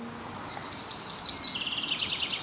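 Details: Common chaffinch in its territory, singing with all its might on a cold, overcast, very windy day in mid-May 2020 at Vossmoor: bright, high trilled notes running into a quick descending series that speeds toward the end, over steady wind noise.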